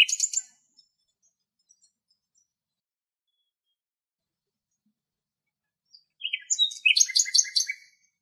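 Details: Common nightingale in Greek countryside gives two bursts of rich song, with fast trills and chattering notes, separated by several seconds of silence.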